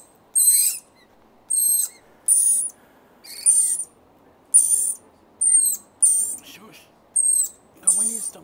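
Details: Wild rainbow lorikeets, parents visiting with their young, calling noisily: about nine harsh, piercing screeches repeated roughly once a second, each brief and grating, over a faint background hiss.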